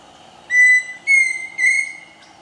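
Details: A Pheasant Cuckoo at Chapada dos Guimarães, Mato Grosso, Brazil, gives three clear, pure whistles in quick succession, the last longer and slightly wavering, over a quiet background hum.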